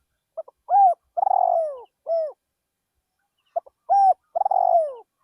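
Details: Calling decoy spotted dove in a rice field: a short note pair, a steady coo, then a long vibrating coo dropping in pitch and a brief final coo, with a second phrase starting after a silent gap.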